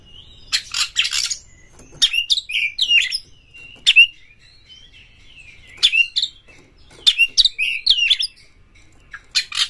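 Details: Oriental magpie-robin lure song, aimed at stirring other magpie-robins to sing and spread the tail: clustered rasping notes and quick downslurred whistles, delivered in bursts with brief gaps.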